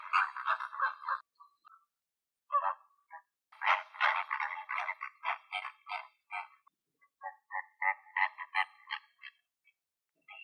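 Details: A flamingo flock in Greek nature calls in loud bursts of harsh, nasal honks. Overlapping birds form crowded, gabbling runs separated by brief lulls, with some notes clipped and some drawn out.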